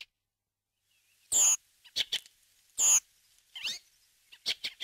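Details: Redwing, a rare or passage bird in Corrèze, France, gives two harsh, high calls with a thin whistled edge, about a second and a half apart, between short dry chacking and clicking notes.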